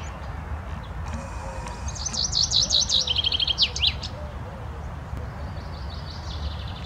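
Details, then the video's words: Common chaffinch singing: a roughly two-second phrase of high, sharp repeated notes that speed into a descending rattling trill and end in an emphatic flourish, with fainter bird calls afterwards and a low background rumble. "Cinteza cantand, Chaffinch singing"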